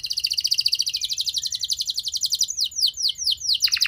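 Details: Canary song used as a lure to make other canaries answer: a long, fast, buzzy high trill for two and a half seconds, then a string of sharp downward-sweeping whistled notes about five per second.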